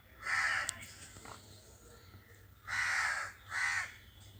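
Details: A loud crow caw, a pause with a faint click, then two more harsh caws close together.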